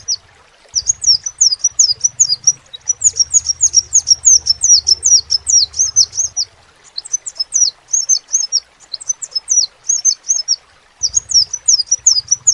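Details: Extended crimson sunbird singing: long bursts of shrill, rapidly repeated downslurred notes separated by short pauses, with intermittent low hum in the background.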